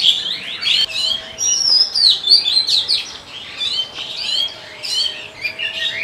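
Oriental magpie-robin in breeding song: a rich, varied stream of high sweet whistles and quick chattering notes, rising and falling several times a second.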